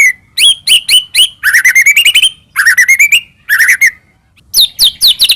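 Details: White-rumped shama singing actively as a lure to draw song from another shama: sharp chips, then quick rising runs of rattly notes and whistles in several bursts, with brief gaps between phrases.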